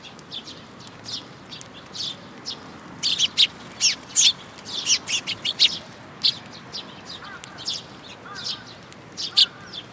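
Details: Sparrows coming to a bridge-railing feeder at a Tenmangu shrine in June 2022; scattered chirps swell into a quick chattering burst midway, then thin out.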